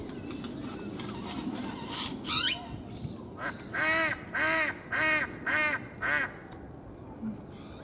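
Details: Male great-tailed grackles calling to attract females in Bosque de Chapultepec: a sharp rising screech, then a run of six loud harsh clacking notes about half a second apart, with faint chatter in the background.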